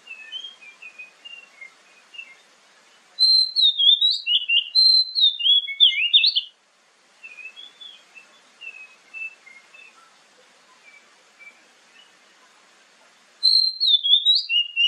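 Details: Oriental magpie-robin lure song for morning and evening, played to draw replies from other magpie-robins. Soft, distant warbling alternates with two loud, fast bursts of bright, varied whistles and twisting slurred notes.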